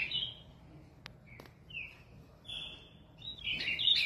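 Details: Ultramarine Grosbeak (azulão) kept in a cage in São Paulo, Brazil, sings short separated whistles, some level and drawn out, some slurred, ending with a burst of rapid warbled notes; a couple of sharp clicks between.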